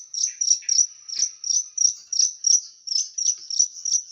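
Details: Small bird's high, sharp, rough song bursts, kept to tutor pet birds. Short bright chirps repeat steadily about every 0.4 seconds at an even high pitch.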